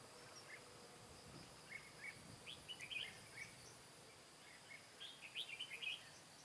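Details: Red-whiskered bulbul used as a decoy during trapping on 15 July 2017, singing to lure and fight wild birds; two quiet bursts of quick, bright chirping notes, roughly three seconds apart, over a steady hiss of insects and outdoor noise.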